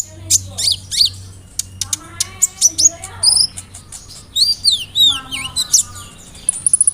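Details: Sunbird known as kolibri ninja, rolling song with fill-in imitations, used to provoke birds to sing. Varied high chirps, slurred whistles, and dipping notes, with some harsher buzzy sounds.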